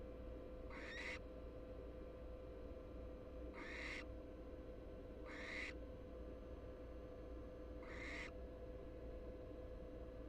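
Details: Three American barn owl nestlings (Tyto alba pratincola), two large and one much smaller, in a University of Florida nest box in Florida, give four harsh, breathy hisses, each under half a second, spaced two to three seconds apart, over a steady low hum.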